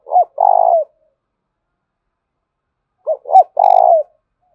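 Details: Loud spotted dove lure call from Dong Nai, Vietnam, used to stimulate other doves: a rising note and long vibrating coo, then the full three-part phrase repeated about three seconds later, with a faint click.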